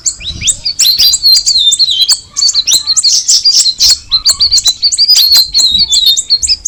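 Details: Cucak rawis, the straw-headed bulbul, in lively song: rapid high twittering notes and short downslurred whistles, delivered in busy phrases with a brief gap near the middle.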